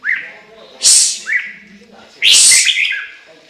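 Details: Chinese hwamei song: short rising whistles lead into loud, bright, harsh bursts, two main phrases with a quieter whistled note between them.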